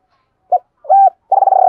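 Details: Spotted dove giving the 'double coo with two endings' call, used as a decoy to train lure birds and provoke wild doves: two short mellow coos, then a longer rolling, pulsing coo, clean and close.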